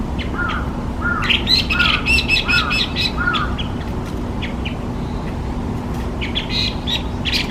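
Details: Chinese hwamei, listed in Japan as a designated invasive alien species: a series of slurred whistled notes repeated about every 0.7 seconds, overlaid with higher chirps, then sparser scattered notes over a steady low background hum.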